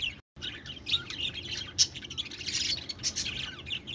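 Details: Steady chatter of budgies: busy overlapping high chirps and warbles with a brief gap near the start, occasional sharper peaks, over a constant low background hum.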